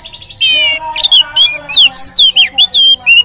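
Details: Oriental magpie-robin, a lure song to get other magpie-robins singing: a buzzy trilled opening followed by quick, loud, clear whistled notes sweeping up and down in a steady chain.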